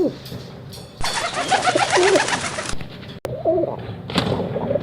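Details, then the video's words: Pigeon giving soft, low, throaty coos in short rolling phrases, with a burst of broadband noise and some room echo. "कबूतर की आवाज || kabutar ki awaz || Pigeon Sound"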